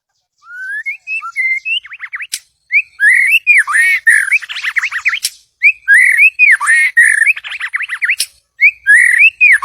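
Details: White-rumped shama song, used as a lure to call in a mate: rich, varied whistled phrases with rising and falling slurs, densely repeated after a short opening whistle, with brief pauses between bursts.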